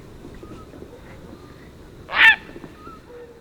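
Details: Tricolored heron from Argentina giving a single loud, harsh, rasping squawk, short and broadband, against quiet background noise.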